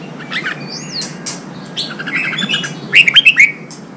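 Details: Vietnamese caged red-whiskered bulbul, sound to excite fighting: a soft swooping whistle and low chatter early on, then a loud, quick run of three or four bright, rolling whistled notes near the end.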